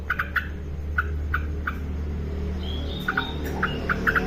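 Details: Sparse single and paired clipped notes from an actively singing female yellow-vented bulbul, with a quiet gap and faint whistles midway, over a steady low hum.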